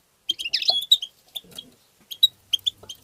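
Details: Goldfinch tbitba song meant to stimulate goldfinches to sing: a dense, tinkling twitter at the start, then scattered high chirps and short trilled notes over faint low rustling.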